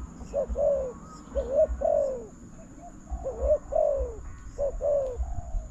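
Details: Decoy-trapping session for spotted dove at a new trap enclosure; soft low coos grouped in short phrases, quick note followed by longer descending tone, repeated over a steady low hum.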